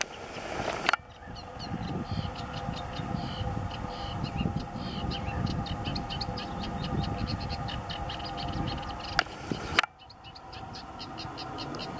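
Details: Eurasian reed warbler singing in Waterland along the Uitdammerdijk, Netherlands, May 2017: a steady, chattering run of short, scratchy notes, each repeated a few times, over a heavy low rumble of wind or distant traffic.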